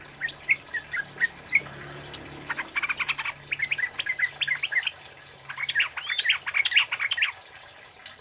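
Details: Male flowerpecker in full voice in the 'cit keres' style, used to lure and tutor birds; bursts of rapid high ticking chips and upslurred squeaks in two clusters, with a faint low hum underneath.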